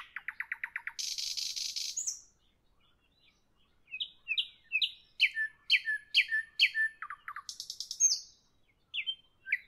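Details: Nightingale evening song: a rapid run of repeated clicking notes, a harsh buzz, silence, then about ten loud chirped notes in steady rhythm, another buzz and a few falling whistles.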